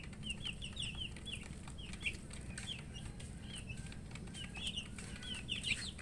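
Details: Coloured baby chicks thirsty for water give bright, high, descending peeps in short runs, a few louder squeaky notes standing out, over a steady low hum and some rustling.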